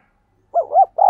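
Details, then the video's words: Spotted dove cooing in 'thúc gù' style, used to train decoys and stir wild doves to coo. Two short arched notes lead into a longer steady coo that is cut off at the end. "Tiếng Chim Cu Gáy Thúc Gù Dùng Tập Mồi, Bổi Nghe Xiêng Gáy"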